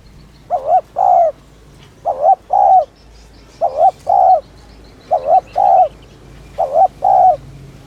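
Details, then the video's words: Urging coo of a spotted dove, meant to draw in and excite wild doves: five two-part phrases, a brief dipping note followed by a drawn-out mellow coo, evenly spaced over quiet background. "tiếng chim cu gáy THÚC - RÚT BỔI - KÍCH MỒI"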